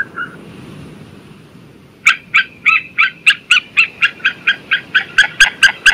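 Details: White-tailed sea eagle: a brief soft note, two seconds of quiet, then a loud accelerating series of sharp yelping barks, roughly three per second, growing stronger toward the end.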